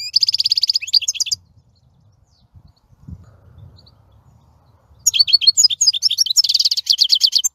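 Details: European goldfinch song in two bursts of rapid twittering with buzzy trills, separated by several seconds of quiet with soft low rumbling noise.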